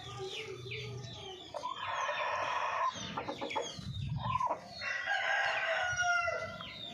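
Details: Golden Misri chickens, with two long harmonic crowing phrases, each held for about a second, mixed with clucks and a background of sparrow-like chirps.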